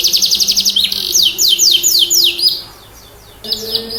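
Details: Canary singing to prompt quiet canaries to respond: a quick rattling trill, then a series of slower, drawn-out high slurs repeated about four times a second, a short pause, and the song resuming briefly at the end.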